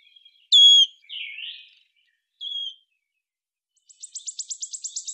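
Wood Warbler: a few clear, high whistled notes, then a fast, dry, shivering trill of about a dozen beats that speeds up near the end.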